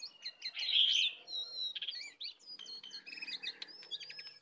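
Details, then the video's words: Wild and caged sooty-headed bulbuls clash in song, delivered with 'isian' fill material: a loud sustained whistle opens, followed by quick clipped chirps and wavering whistled notes in rapid succession. "pertarungan sengit antara Jongkangan liar vs jongkangan sangkar, full isian"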